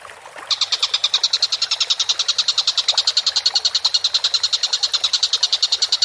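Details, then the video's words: Collared kingfisher (tengkek buto) calling actively on a masteran bird-training recording: after a faint start, a loud, fast series of harsh repeated notes, roughly nine a second, continues without a break. "MASTERAN BURUNG TENGKEK BUTO GACOR"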